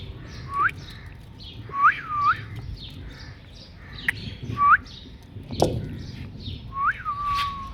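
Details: Indian ringneck parakeet mimicking a cat's meow: repeated whistled notes that sweep up then slide down, given in short bursts about once a second, with faint background chatter.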